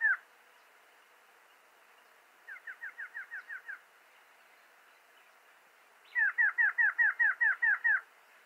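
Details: Variable Antshrike (Thamnophilus caerulescens, choca corona negruzca), one of Argentina's common birds, gives two runs of quick, nasal, slurred mid-pitched notes, first about eight, then a louder run of a dozen, over a quiet background.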